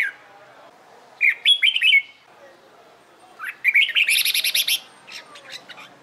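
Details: Red-whiskered bulbul in training for competition singing: a warbled whistled phrase, then a longer burst that ends in a series of sharp, buzzy high-pitched notes repeated quickly, followed by fainter chatter.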